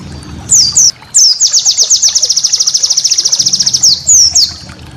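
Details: White-eye master song for training cage birds: high thin downslurred notes, then a long fast trill of repeated descending chirps for about two and a half seconds, ending with more slurred whistles.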